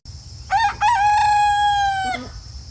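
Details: A morning crow from a silkie rooster opens with two brief rising notes before a long, level, richly harmonic tone lasting about a second and a quarter, ending in a short low drop.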